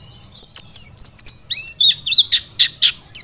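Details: Wild-caught mountain white-eye of the Merapi Dakun type singing for tutoring other birds: a lively, varied sequence of high whistles, slides and rising and falling chirps, ending in rough scratchy notes.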